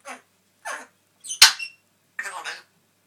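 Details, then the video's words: Pet parrot indoors, chatting to himself in mimicked speech; four short, breathy, word-like bursts spaced about half a second apart, one with a sharp click-like onset, in a quiet room. "Talking parrot"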